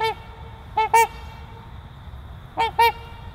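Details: Trumpeter swans of a breeding pair giving loud, nasal, trumpet-like honks: two quick double honks, one near the start and another about two seconds later, over a quiet low rumble.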